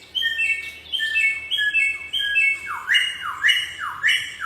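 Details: Wild Bare-throated Whistler from Nusa Tenggara: stepped, clear whistled phrases dropping in pitch, followed by a quick series of loud notes that swoop steeply down, about two per second.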